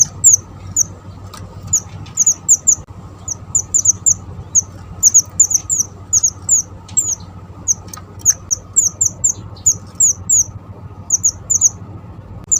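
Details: Java sparrow, used to lure birds for trapping: long lively run of rapid, high, downslurred chips in irregular bursts and doubles, with a steady low hum throughout.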